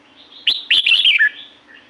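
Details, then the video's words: Red-whiskered bulbul in La-u forest, Thailand, giving one loud, chattering, descending warble of about three quick notes. Faint softer calls and a low hum lie beneath. "เสียงนกกรงหัวจุก จากป่าละอูแท้ๆ เสียงดี เสียงเพราะ จากธรรมชาติ"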